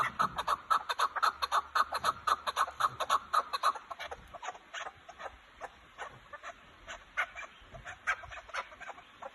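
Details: Loud, rhythmic clucking from Kazakhstan chukar partridges, roughly two notes a second, strongest in the opening seconds before fading to a softer repeated series.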